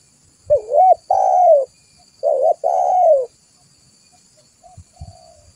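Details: Spotted dove lure call, used to draw other doves in: four loud, hollow coos, the first two short and the next two drawn out and slurred downward, then two faint coos after a pause, with quiet thumps below.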